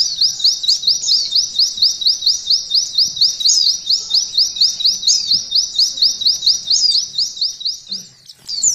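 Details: Training song of a mountain white-eye for canaries: a long, even series of rapid high slurred notes repeated at a steady beat, briefly pausing near the end before resuming.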